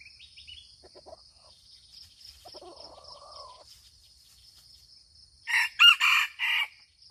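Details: Aceh red junglefowl giving a clipped four-syllable crow near the end, preceded by seconds of faint chirps and soft low bird notes, with a continuous shrill insect hum behind.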